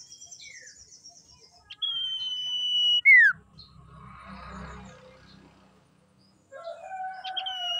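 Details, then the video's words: Lure song of a female common iora for provoking males: a sustained flat whistle ending in a quick downward sweep, then a stretch of low rustling noise and a return of lower whistled notes. "SIRTU GACOR PANDAI BIKIN LAWAN EMOSI MEMANCING SIRTU AGAR BUNYI"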